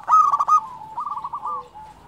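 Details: Brief, loud zebra dove phrase from a local bird in full voice. A burst of rapid beaded notes trails into a softer rolling coo.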